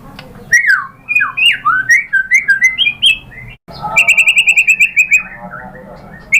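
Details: Murai batu, the white-rumped shama, in a song meant to make other birds respond: rapid sequence of slurred whistles swooping up and down, a short gap, then a fast run of sharp repeated high notes.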